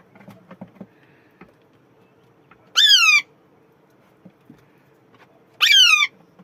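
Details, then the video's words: Two strident, descending squawks from an Alexandrine parakeet spaced nearly three seconds apart, each raspy and loud, with soft tapping and rustling noises in the background. "Alaxandrine parrot"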